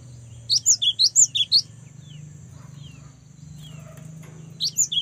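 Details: A young cinereous tit singing actively gives a burst of about seven shrill, alternating high chirps. Soft faint notes follow, then a new burst begins. A low hum sits underneath.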